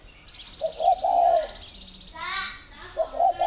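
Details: Captive spotted dove in Ba Vì, Hanoi, Vietnam, giving its pairing-readiness call: a low two-part coo, a brief louder burst of other sound midway, then a second coo phrase beginning, with small birds chirping.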